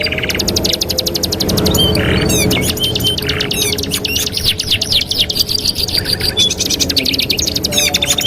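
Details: Training master song of a canary: long runs of very fast, evenly repeated notes forming rattling trills, with brief buzzy sections and occasional thin whistles, sustained almost without pause.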